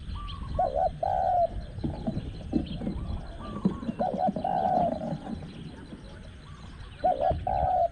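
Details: At spot 14 of a dove-luring session with a caged decoy, a spotted dove gives strong clipped-then-drawn-out coos, with fainter coos from another bird and rustling and rumbling in the background.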